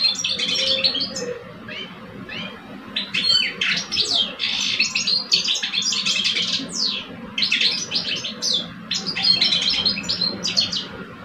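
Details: European goldfinch song duel between two caged males, a mature bird against a two-year-old. A long run of rapid liquid twitters and chirps builds into dense bursts of sweeping notes, with a constant low background hum.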